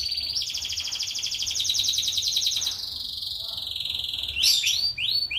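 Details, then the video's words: Bird singing a fast, buzzy trill of rapidly repeated notes that settles into a steady high whistle, followed by several quick downward-sliding chirps, with faint low rumble behind. "kicauan burung"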